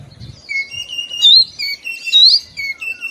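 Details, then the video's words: Short burst of Oriental magpie-robin song in the morning: sustained whistled tones with two loud bright peaks, and faint low thuds at the start. "TERAPI KACER BIKIN RAMAI OCEHAN DI PAGI HARI"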